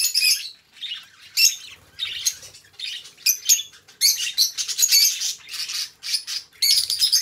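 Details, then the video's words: Budgie pair chattering in short, bright bursts of raspy chirps and squeaks, with a longer run of rapid warbling in the second half. "2 Hours of Budgie Sounds: Birds Singing You to Sleep"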